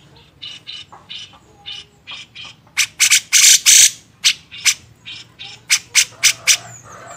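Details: Grey-cheeked bulbul for songbird training, style tagged beset ngepik: steady fast chattering of grating, broadband notes, several per second, building to a cluster of very loud rasps midway, then continuing evenly.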